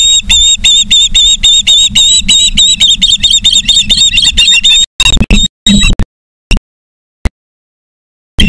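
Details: Charlo, Montana osprey nest, live camera, 09/03/2023, 18:54: fast, steady string of shrill chirps for about five seconds against low rumble, then the sound cuts in and out to near silence.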